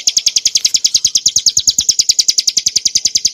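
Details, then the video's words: Short stretch of bar-winged prinia (Prinia familiaris montana) song for cage-bird tutoring: quick, evenly spaced high chattering notes in a tight, continuous run. "kicauan burung ciblek gurun untuk masteran & pancingan - suara jernih ngebren nembak"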